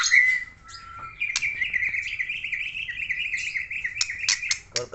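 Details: White-rumped shama from Aceh singing hard: an opening clear whistle, then a long steady buzzy trill held for about three seconds, ending in sharp clicking chips and a few quick notes.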